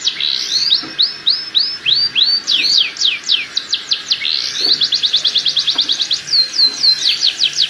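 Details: Canary mating song intended to raise breeding drive and hasten pairing: slurred rising whistles give way to steep downward strokes, then a fast buzzy trill and curling notes at the end.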